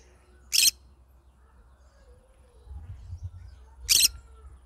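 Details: Yellow-sided green-cheeked conure singing: two short, harsh, rasping screeches about three seconds apart, with a low rumble of background noise between them.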